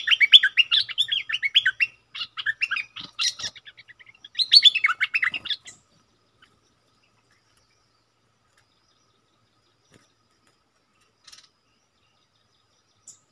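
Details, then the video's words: Decoy bulbul singing toward wild birds, several seconds of fast, chattering warbled phrases with sharp slurred notes, then near silence with a couple of faint distant ticks. "นกต่อ ร้อง&ริก!!!ใส่นกป่า merbah lekir gacor"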